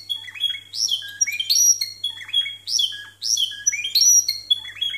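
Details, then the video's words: Timbrado discontinuous song by canaries scoring 92 and 93 points, recorded with somewhat poor sound. Loud rising whistles, drawn-out high notes and quick chirps form broken phrases with short gaps; faint electrical hum underneath. "TIMBRADO DISCONTINUO CON 92 Y 93 PUNTOS"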